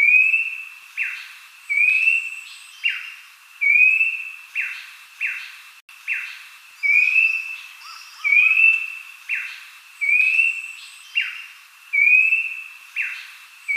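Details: Abbott's babbler (Malacocincla abbotti) song, used as a lure to prompt other babblers to sing: clear whistled notes, some rising and some falling, repeated in steady phrases.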